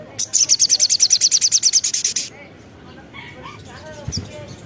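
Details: Crimson sunbird song used as a lure to make other sunbirds respond; a fast, high, buzzy trill of about twenty evenly spaced notes for two seconds, then softer scattered chirps and a brief sharp note.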